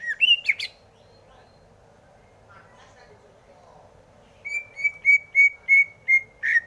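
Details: Greater green leafbird gives a couple of sharp slurred whistles. After a quiet gap it sings a run of seven level, ringing whistled notes, the final one dropping.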